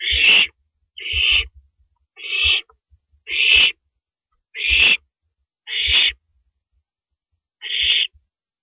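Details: Nighttime nest scene on April 15, 2012, 2:52 AM, with a rabbit brought in as prey; an owl produces seven breathy, grating hisses spaced about a second apart, with faint soft knocks beneath.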